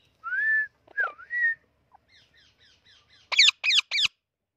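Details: Amazon parrot calling: whistled, gliding notes, then soft repeated chirps, ending in three loud, harsh screams.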